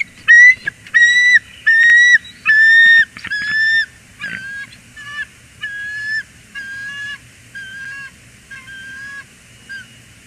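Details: Loud greeting between a bald eagle pair, Port Tobacco, USA, January 2021: a run of strong, thin piping whistles that weakens into a softer, quicker series of about a dozen notes.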